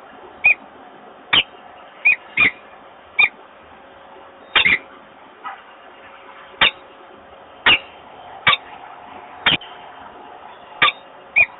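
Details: Male peregrine falcon at Włocławek calling to invite the female to the nest, without success, on 28 February 2022: scattered abrupt clicking chips at irregular intervals above low steady noise.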